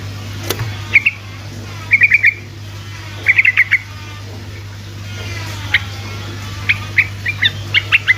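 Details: Sooty-headed bulbul in ropel song, played to prompt silent bulbuls to answer: short clusters of three or four quick chirps separated by pauses, with scattered single notes near the end and a constant low electrical hum.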